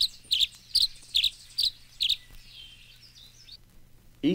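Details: Tree Swallow uttering quick doubled chirps, six bursts in just over two seconds, then a fainter trailing warble before a man's voice briefly cuts in at the end.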